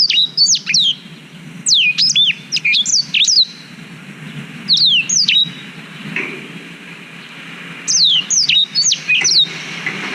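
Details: Black-throated canary, recorded with a GoPro Hero 5 as a master for teaching canaries: several phrases of high descending whistles and chirps, each lasting about a second or two, separated by silent gaps.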